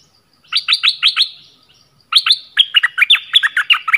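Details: Orange-headed thrush song used as a decoy call for wild birds: a series of five quick descending whistled notes, a pause, then a longer run of loud varied whistles rising and dropping in quick succession.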